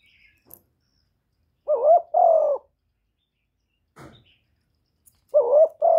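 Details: Caged spotted dove used as a decoy to lure wild doves, recorded up close without background noise. It gives two low, mellow two-part coos, each a short note then a longer falling one, separated by a long silence and a few faint clicks.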